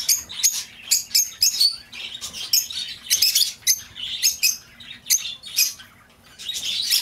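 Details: Lovebird sounds played to tempt back an escaped bird: clear, shrill chirps in distinct bursts about half a second apart, some rising and scratchy, quieting toward the end.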